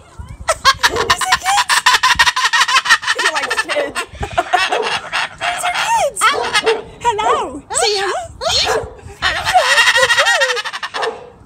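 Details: Male pet Moluccan cockatoo laughing and talking at children passing the house, wanting a greeting: dense bursts of fast rasping laughter mixed with wavering, bending voice-like notes, in several runs.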